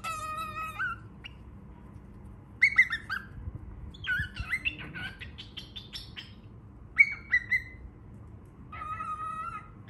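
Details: Baby cockatiel making repeated rising whistled calls and rapid chattering chirps in bursts spread over about ten seconds, with quiet pauses between them.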